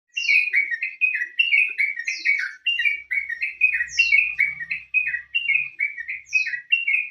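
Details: Sooty-headed bulbul song used as a lure recording to get other birds singing: a steady run of short, bubbly whistled notes in chattering phrases, with thin high down-slurred notes mixed in, continuing almost without pause.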